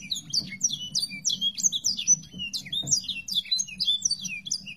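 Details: Sanger birdsong played as tutoring audio for songbirds: busy stream of sharp high chirps and short swept whistles, crowded and fast, sustained throughout with a quiet low background hum.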